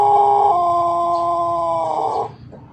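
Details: Pelung chicken of Plered, Purwakarta, ending a crow: a loud, steady harmonic tone drops slightly in pitch and is held for about two seconds before cutting off into quiet background.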